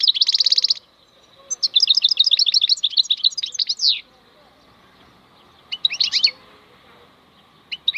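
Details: Wild European goldfinch (maknine khalwi) song opening with a buzzy trilled phrase, then a long run of liquid, tinkling twitters ending in a drawn-out slurred note, followed by shorter chirpy bursts after a pause.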